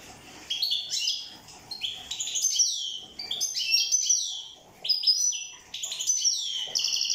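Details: European goldfinch from Corsica in full song, rapid liquid twitters and high chirps grouped into bursts about a second long, with brief gaps between and sharp ringing notes mixed in.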